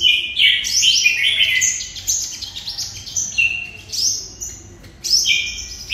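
A sunbird pours out a high, fast twittering song of thin sweeping and trilled notes in quick phrases, with a brief pause before a final burst.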